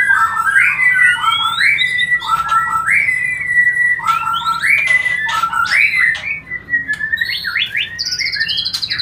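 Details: White-rumped shama song used as a lure to bring birds into breeding condition: loud, varied whistled phrases repeated in short rising sweeps, followed by sharper metallic notes and a high steady whistle near the end.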